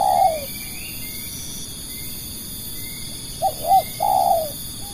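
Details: Lure spotted dove used to draw in other doves: the tail of one low burry coo opens, then a quiet gap before a full phrase of two quick hooked notes and a drawn-out coo, over a constant high-pitched hum.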